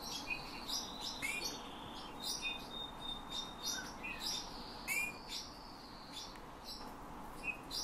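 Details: Hand-trained Eurasian bullfinch singing phrases copied from its owner's whistle, with borrowed nightingale and thrush phrases; short piping whistles, one long steady whistled tone, and bursts of high chirping scattered through the phrase.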